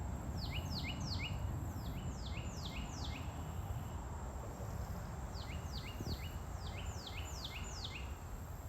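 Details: Unidentified birds calling in bursts of quick descending whistles, each note sliding down and ending in a lower tick, grouped in runs of three to six, over steady low rumbling background noise; recorded 20 May 2023.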